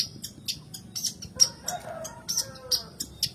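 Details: Long-tailed shrike (cendet, pentet) singing as a lure for lazy caged birds: short scratchy high notes repeated about every quarter second, with a faint lower whistle in the middle.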